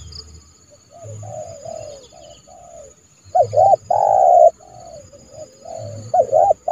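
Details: Captive spotted dove used as a trained decoy to call in rivals for trapping, giving soft, hollow coos in short phrases, some louder and rising-falling, over a faint steady high whine.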